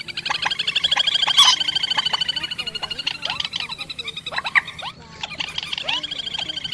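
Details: Two birds, quốc biển and trích ré, calling as a night-net lure in the March 2024 migration: fast steady rattling trill of harmonic pulses, about 200 per minute, with overlapping sharp upslurred notes, then a brief pause.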